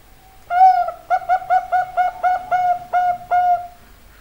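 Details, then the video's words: Male zebra dove cooing: a short opening coo, a pause, then a quick series of about eight clear, evenly spaced hooting notes, ending in a longer drawn-out note, quiet background. "perkutut jantan"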